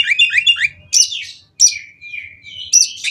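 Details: Oriental magpie-robin with a mimicry-rich song for prompting other birds: quick chattering warble, then harsh bursts each followed by long level whistles.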